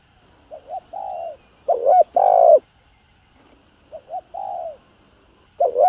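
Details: Spotted dove cooing to stimulate other doves, with two overlapping birds: quiet coo phrases alternate with louder, harsher ones, and faint higher background chirps are heard.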